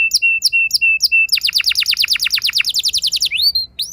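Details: Canary singing a prompting roll: a few short high chips, then a fast run of repeated falling whistled notes lasting about two seconds, closing with rising slurred whistles.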